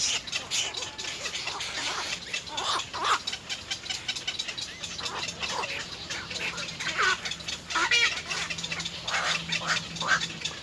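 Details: Three little egret chicks at their nest pecking at their mother to be fed: harsh, rasping chatter in rapid irregular bursts, some louder squawks near the end, over a constant hiss of background noise.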